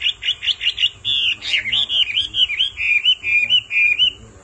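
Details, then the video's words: Hwamei male singing after a female calls again and again; rapid repeated whistled notes give way to a long warbling, gliding whistle that slowly fades. "Họa mi mái xùy liên hồi kích chim trống căng lửa hót ngay"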